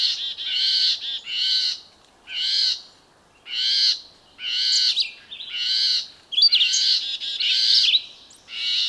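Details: Red-eyed vireo singing: short, buzzy, harmonic-rich phrases of about half a second, separated by brief pauses and repeated roughly once per second in a steady, loud series against a quiet background.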